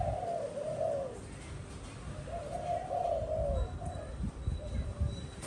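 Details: Spotted dove in a keeper's care, quieter low cooing in two drawn-out, slightly wavering phrases, with low rumbling background noise and a faint high tone later.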